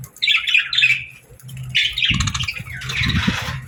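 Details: Budgies chirping in the morning, with two short warbled phrases followed by scratchy chatter over a low hum.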